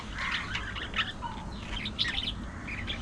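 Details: Budgie warbling: soft buzzy chirps mixed with a short low whistle and sharp clicks, continuous chatter over faint hum.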